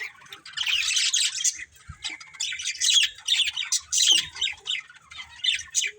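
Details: Harsh budgerigar squawks mixed with chirps come from a colourful breeding pair, delivered in uneven bursts of scratchy, buzzy notes with short gaps between them.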